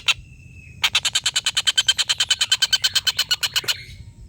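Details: A single short note and a brief thin whistle, then a collared kingfisher bursts into its long laughing call: rapid, scratchy kek notes in a steady run lasting about three seconds before a trailing fade. Used to tutor competition birds.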